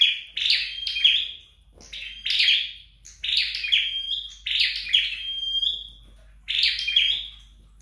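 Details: Scarlet-backed flowerpecker at home in training, giving five high, rasping chirp bursts with drawn-out whistled tails, spaced by short quiet pauses.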